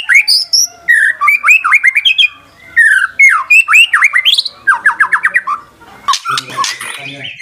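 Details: White-rumped shama song as a lure for silent shamas: lively jumble of slurred whistles, quick repeated upslurs and harsh chattering notes, with a brief noisy, clattering stretch at the end.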